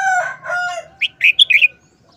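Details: Red-whiskered bulbul gives a brisk phrase of bright, bubbling whistles. Before it, a drawn-out, lower harmonic crowing sound comes from another bird.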